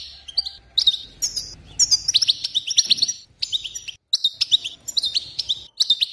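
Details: Female European goldfinch song, played to stimulate goldfinches: bright, tinkling twitters and short buzzy trills in quick bursts, with brief gaps between phrases.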